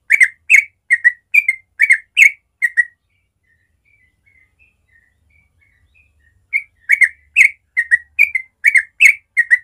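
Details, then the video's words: Morning ropel song of a yellow-vented bulbul in natural sound: a quick series of chortled whistled phrases, a soft thin pause with faint notes, then another lively burst of repeated phrases. "Masteran Trucuk ropel suara alami pagi hari"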